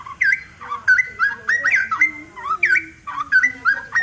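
A Straw-headed bulbul pours out rich, liquid whistled phrases, bubbling and warbling up and down several times a second, with a faint lower tone underneath.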